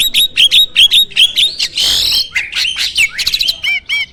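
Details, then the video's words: Energetic starling from a bird farm, song full of fill-in phrases: regular chirps about three per second, a harsh hissing rasp, then fluttering trills and looping whistles. "Burung jalak gacor full isian!"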